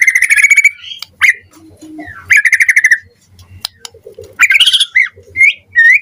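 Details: White-rumped shama (murai batu) morning lure song, used to provoke a response: loud repeated buzzy rattling phrases alternating with clear whistled notes and upward slurs, in several bursts.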